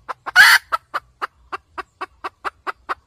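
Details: Red junglefowl hen used for trapping, cackling: a loud drawn-out harsh squawk near the start, then a steady run of short clipped clucks about four per second.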